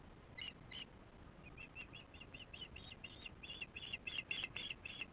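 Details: Osprey chicks working on the nest, filmed by a nest camera, dated 08/06/15 at 18:44: a fast series of high, sharp, harmonic chirps, about four per second, growing louder toward the end over faint low background rumble.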